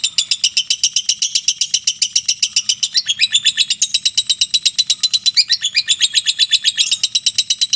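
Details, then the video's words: A mentil lovebird's long ngekek, a continuous high, harsh, rapidly pulsed trill of around six beats per second with slight pitch wobbles, faint low hum behind. "LOVE BIRD NGEKEK PANJANG 2 MENIT TANPA JEDA"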